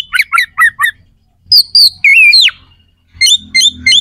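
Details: Oriental magpie-robin song of coarse, sharp phrases played to rile up rival males; four quick chirps, slurred descending whistles, then a short series of repeated chips.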